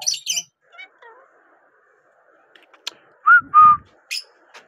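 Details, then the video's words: Talking parrot: scattered squawks and short chirps, then two loud, clear whistled notes held steady, followed by a brief squeak, with quiet pauses between sounds. "talking parrot"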